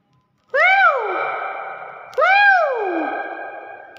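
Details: Common hill myna, a clever pet bird, gives two loud harmonic calls, each sweeping up then sliding down in a drawn-out, nasal wail, about a second and a half apart, with clapping before and after.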